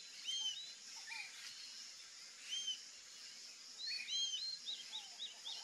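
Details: Rufous-tailed jacamar, also called ariramba-de-cauda-ruiva, calling: thin, high upslurred whistled notes, some spaced singly and others in a quick run of several, with lower soft notes and a steady insect-like hiss behind.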